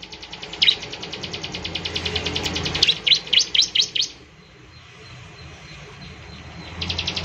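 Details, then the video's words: Bar-winged prinia singing actively, meant to prompt other prinias to sing: long, fast, even series of high buzzy ticks, then several louder sharp chirps, a quiet gap, and the ticking resumes. "ciblek semi gacor, memancing ciblek semi cepat bunyi"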